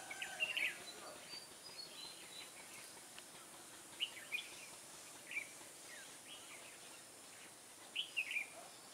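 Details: Red-whiskered bulbul singing during bulbul trapping on 21 October 2017, a caged decoy bird in vigorous fighting song; short bright warbled phrases recur every one to four seconds over steady background hiss.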